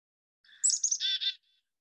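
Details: Black-capped chickadee gives its chick-a-dee alarm call: a few thin, high opening notes, then two harsh, buzzy dee notes; the number of dee notes is said to vary with predator size.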